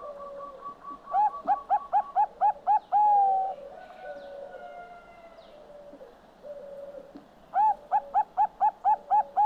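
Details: Perched singing of a Bangkok-type zebra dove: a quick run of bubbling, repeated coo notes about four per second ending in one drawn-out note, a pause with faint whistles of other birds, then another rapid run.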